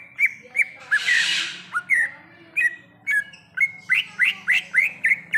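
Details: Greater green leafbird (cucak ijo) in the wild, forest setting, giving quick whistled notes that slur downward, repeated rhythmically, with one broad hissing burst near the start.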